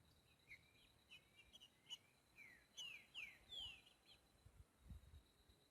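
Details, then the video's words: Boiadeiro song of a green-winged saltator in nature: soft chips build into three strong descending whistled notes in rapid sequence, with a faint steady high tone and low rustling noise. "TRINCA FERRO BOIADEIRO CANTANDO NA NATUREZA"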